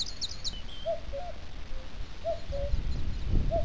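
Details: Common cuckoo at the Landes du Cap Fréhel heathland, Brittany, on 21 April 2005, gives soft, falling two-note cu-coo calls about every second and a half, with brief high whistles from another bird and a low background rumble.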